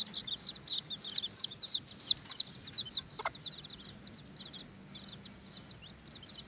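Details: High, clear peeps from Watermaal bantam chicks disputing an earthworm, about one and a half per second, loud at first and then softer, with one brief scrape midway.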